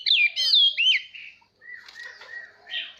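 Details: Oriental magpie-robin song for training young birds and sparking competitive singing: one loud, fluid whistled phrase with sweeping slurs, followed by soft lower notes and a faint rustle.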